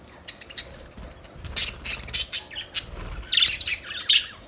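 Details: Budgerigars chatter in scratchy, squawky bursts, quiet at first, then louder clusters of harsh chirps toward the end over a low rustle.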